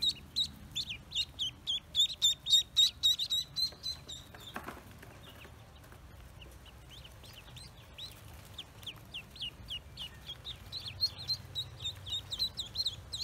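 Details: Freshly hatched Pekin ducklings on a farm give bursts of shrill, falling peeps, rapid and regular at first, a quieter stretch with a brief rustle, then renewed quick high cheeps toward the end.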